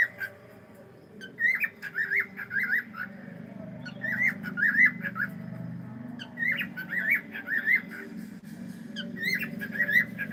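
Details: Pet cockatiel saying hello, producing repeated bursts of squeaky warbled chatter, each about a second long, with low household hum underneath.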